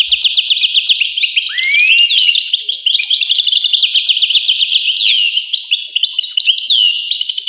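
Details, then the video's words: Extended European goldfinch song: rapid jangling twitter, buzzy trills and downward-slurred notes poured out continuously for several seconds. "voice carduelis- Tweets the birds. Tones a bird Goldfinch. voice goldfinch-"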